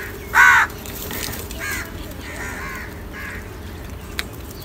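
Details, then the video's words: Crows in a large group, fighting and eating salty food outdoors: one loud harsh caw followed by fainter caws over steady background noise. "Large numbers of Crow ki natural awaaz | Different kauwa ki awaz - Crow Fight & Eating Salty"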